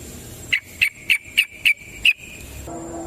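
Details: Yellow-vented bulbul in the wild, in lure-style calling: six sharp, bright chips repeated roughly every 0.3 seconds, then a trailing tone and a low hum at the end.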